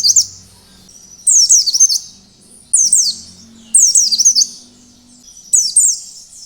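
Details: Lure song of an Oriental white-eye in wild style, aimed at making other white-eyes sing: five high twittering bursts of quick descending slurs, each under a second, repeated at roughly one-second intervals.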